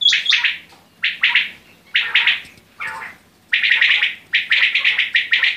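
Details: Quail giving rasping, buzzy calls in doubled bursts about once a second, then a faster run of clustered harsh notes near the end.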